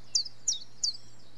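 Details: Short burst of common chiffchaff song: three high, sharp falling notes in quick succession over a low steady hum.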